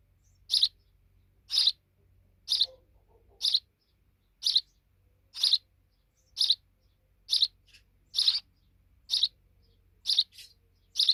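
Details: Sparrow young, now big, repeat scratchy chirps about once a second, a dozen in steady sequence, one fainter note near the end.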